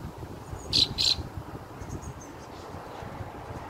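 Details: On June 2nd, a fieldfare chick accompanied by its family utters two quick, loud, scratchy high notes close together, followed by faint chirping and steady low background noise.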